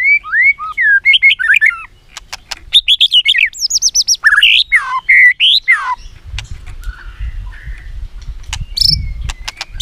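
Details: White-rumped shama singing a varied song full of mimicked phrases, meant to prompt other shamas into song: rapid sweeping whistles rising and falling, quick ticking series, then softer notes over low background rumble.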